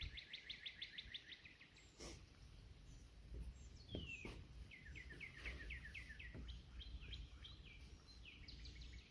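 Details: Competing Northern Cardinals, one singing from across the way, on a cool April morning walk. Distant, faint song: a quick run of repeated notes, then downslurred whistles and further rapid phrases. Soft background noise and a few sharp clicks.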